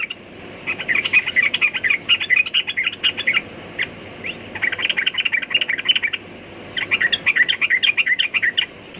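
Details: Sooty-headed bulbul singing in three long bouts of fast, bubbly chattering notes separated by brief pauses, with a steady low background hum.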